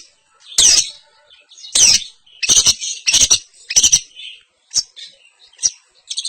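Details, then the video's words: Long-tailed shrike of the East Javanese semi-blangkon type, unloading its learned filler repertoire in champion style: sharp, high chirped bursts spaced about a second apart, followed by shorter, thinner notes. "pentet semi blangkon- bongkar isian -gaya juara - pentet jawa timuran"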